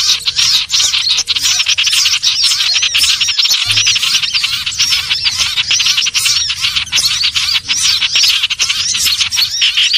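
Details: Trapping lure sound of common iora, a continuous chattering stream of sharp high chirps and repeated curved, arching notes delivered rapidly for ten seconds without a break, with one short dip near the middle.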